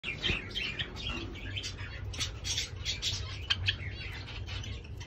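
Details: Fawn red-eyed Java sparrows keep up a busy stream of short, high chipping notes, several overlapping each second, over a steady low hum.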